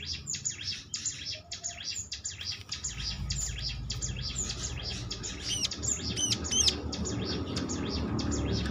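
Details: Lure recording of a prinia (ciblek) meant to trigger other prinias into singing: fast, scratchy high chirping phrases with a few clear whistled upslurred notes near the end, over a continuous low hum.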